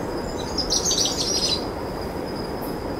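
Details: Begging trill of a powerful owl chick at dusk while an adult female feeds two young on a possum. A single high, rough trilled burst lasts about a second, over a faint steady whine and low background noise.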